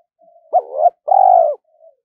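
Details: Decoy spotted dove calling to provoke wild doves into fighting: one phrase with a quiet lead-in, a rising wavering note, then a long steady mellow coo ending in a soft faint tail.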